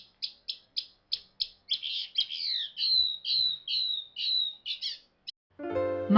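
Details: Mockingbird song recorded at Savannah National Wildlife Refuge, sung for territory and mates. A rapid series of clipped high notes gives way to repeated slurred whistles, then varied chatter; a low, harmonic, music-like sound enters at the end.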